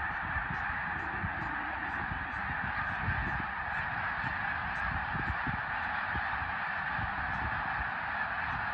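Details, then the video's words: Snow goose flock at Middle Creek, 2022, producing a thick, ceaseless honking chorus, with low rumbling thumps and bumps underneath. "Middle Creek snow geese 2022"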